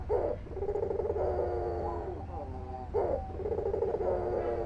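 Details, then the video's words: Albino white dove (puter) giving repeated low throaty coos, each opening with a short emphatic note then a sustained rolling purr, two phrases about three seconds apart over a steady low hum. "SUARA PUTER PUTIH ALBINO GACOR_THE VOICE OF THE PUTER ALBINO GACOR"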